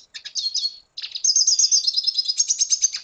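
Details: Red siskin of Venezuela: a short chirpy phrase, a brief pause, then a steady fast buzzy trill of high twittering notes running to the end.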